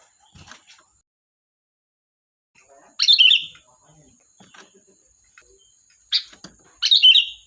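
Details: ['Sooty-headed bulbul giving loud, liquid, bubbling whistled phrases, one near the middle and two close together at the end, with scattered soft ticks and a thin steady high tone behind.']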